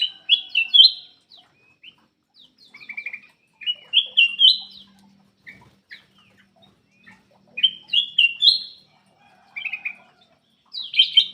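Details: Lively black-crested bulbul song used to encourage lazy birds to sing; short, bright, rising phrases of three or four slurred notes, repeated every two to three seconds with brief pauses.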